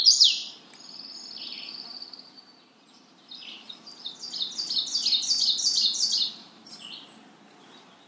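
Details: Magnolia warbler calling: a long high whistled note sliding downward, then a quick run of short, high, sharp notes stepping up and down, loud for about three seconds before fading, over a faint low background hum.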